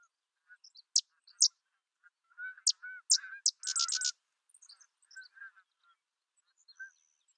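Sedge wren giving dry, sharp chip notes that run into a quick, stuttering chatter; softer, lower warbled notes sound underneath.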